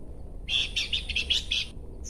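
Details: Horsfield's babbler making one continuous burst of fast, harsh, buzzy chatter lasting just over a second, followed by a short high note.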